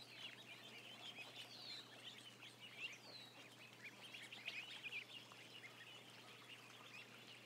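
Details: About a thousand barn-kept ducklings giving quick, high, rising and falling peeps in a restless stream, with a few sharper notes toward the end.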